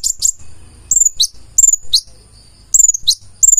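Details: Purple-throated sunbird, called konin, singing hard with learned phrases mixed in: thin very high downslurred whistles and short chattering trill bursts, separated by brief pauses.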